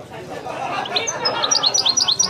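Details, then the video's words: European goldfinch, authentic Widani song style: a quick run of high, clipped chirps that speed into a rhythmic twittering series, with a hum of voices underneath. "chant de chardonneret تغريد الويداني الأصيل"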